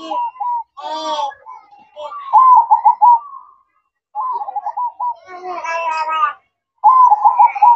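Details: Zebra dove singing at night in the cooing style called manggung: short rolling, trilled coos repeated in phrases, interrupted by louder harmonic calls with overtones from other voices.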